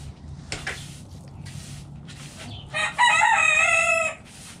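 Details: Chickens feeding in a backyard coop, with scattered pecking sounds and low background hum before a rooster's strained, rising crow of about a second and a half, then more pecking.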